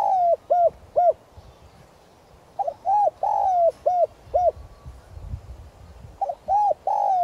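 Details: Repeated luring calls of a decoy spotted dove, 'gáy gọi' style in a 'giọng son' voice: several back-to-back phrases of low hollow coos, arched short notes alternating with long drawn falling coos, with a brief pause midway.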